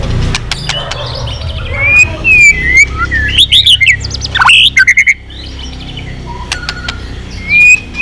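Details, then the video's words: White-rumped shama urged into intense song, tail flicking continuously, switching voices. Varied whistles and sharp slurred notes come in uneven bursts, with softer chips and pauses between phrases. "Chòe Lửa kéo dây yến đảo giọng đập đuôi liên tục. kích Chòe Lửa hót căng."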